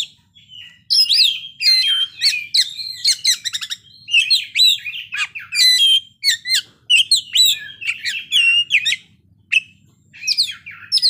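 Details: Kacer (magpie-robin) singing in full 'ngeplay bongkar isian' style, a dense run of varied sharp chirps, whistled slurs and rapid trills, loud bursts separated by short pauses, with no other clear sounds.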